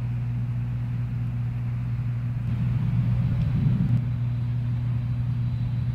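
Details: Deep vehicle rumble and a steady low hum, swelling briefly in the middle, with no animal voices.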